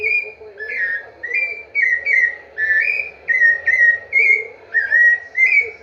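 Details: Rufous-bellied thrush singing a series of clear whistled phrases near two kilohertz, each slightly slurred or rising, delivered in short bursts about every half second with brief pauses, with faint low hum beneath.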